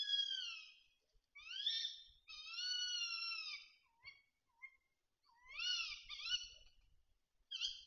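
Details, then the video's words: Talkative tawny owl at a feeder in the Bieszczady Mountains, Poland, on 7 September 2023 gives a run of harsh, wheezy, drawn-out notes, some upslurred, with short squeaky calls and pauses between. "A to się puszczyk rozgadał"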